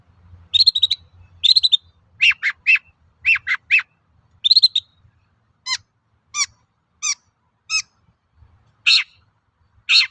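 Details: Long-tailed shrike singing to provoke other shrikes into song: chattered bursts first, then a spaced series of sharp downslurred notes, finishing with two harsh notes.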